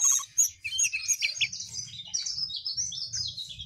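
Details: Sooty-headed bulbul, locally called jongkangan, singing actively: quick high chirps and short whistled notes run together in a busy, lively phrase, with a soft low rumble underneath.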